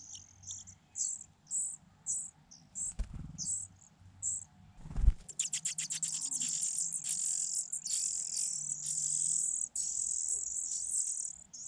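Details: High-pitched begging from four hungry Fujian niltava chicks in a grass-hidden nest. Spaced thin squeaks build into a dense, continuous frenzied chorus as feeding begins, with two dull thumps and constant insect hum beneath.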